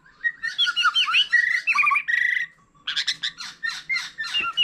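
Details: Old wild-caught white-rumped shama singing many varied phrases alongside a laughingthrush: rapid sweet whistled notes and slurred warbles, a brief buzzy rattle near the middle, then a gap and a burst of sharper, chattering notes.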